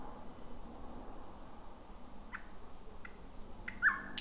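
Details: Thrush nightingale singing at night, recorded 10 May between about 00:40 and 2:00 in dense bushy thicket: a few high, thin whistled notes and sharp clicks, ending on one lower note, over a steady background hiss.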